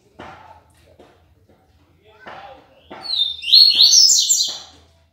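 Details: Caged yellow-bellied seedeater (papa-capim) from Aracaju, Sergipe, Brazil, singing the clean 'tui tui limpo' song style, offered as a tutor song for young birds; a high, buzzy, twittering burst lasting about a second and a half follows several dull knocks and clatter.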